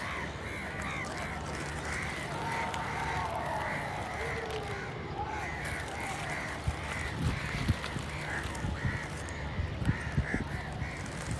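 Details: Steady stream of repeated harsh crow caws, several birds overlapping, with a faint drawn-out tonal sound in the middle and a constant low background drone.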